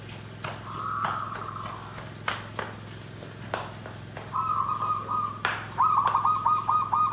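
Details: Zebra dove song, styled nggandem gedhe garing: after several sharp knocks and clicks, a level trilled coo starts, then a stuttered run of quick notes flows into a rolling coo. A faint high chirp recurs and a low hum persists.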